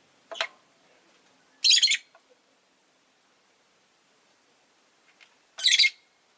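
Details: Rosy-faced lovebird (Agapornis roseicollis) kept as a pet, giving three sharp, harsh, high chirps: a short one, then a longer buzzy burst, and after a quiet pause of several seconds a third similar burst. The background is almost silent.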